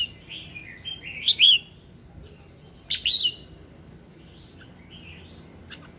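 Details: Morning singing of a red-whiskered bulbul, used to stir other birds to sing: two loud warbled phrases of quick, bright whistles, followed by softer, fainter whistled notes.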